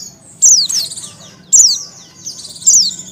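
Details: Close, high downward-sweeping chirps from a breeding-condition female Oriental white-eye calling to males, three loud notes with buzzy trailing tones over about three seconds.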